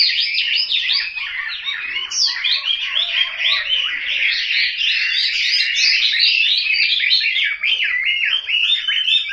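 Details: Caged Chinese hwamei at home in Hanoi pouring out a dense, unbroken song of rapid rising and falling whistled phrases, busy and jumbled throughout.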